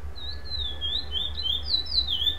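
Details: A black chestnut-bellied seed finch (curió preto), placed second at a FEBRAPS song-competition stage in Limeira, Brazil, sings a non-repeating unbroken run of clear, sweet whistles gliding up and down over a steady low rumble.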